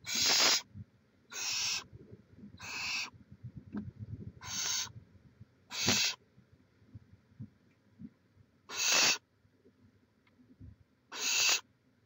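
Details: Barn owls at a nest in Chula Vista, California, live camera footage from 18 May 2017: seven short, breathy screeches at uneven intervals over twelve seconds, with faint rustling underneath.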